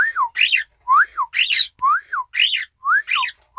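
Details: Pet Isabelle pearl cockatiel imitating the owner's whistled "ppoiyo" phrase, December 1, 2018; smooth up-and-down whistles trade back and forth with rougher, harmonic-rich versions in quick, continuous succession indoors.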